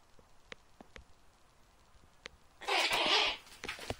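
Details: Snowy owl breeding in an enclosure at a nursery, uttering a short, coarse hissing scream late in the recording after quiet scattered clicks, then light tapping sounds.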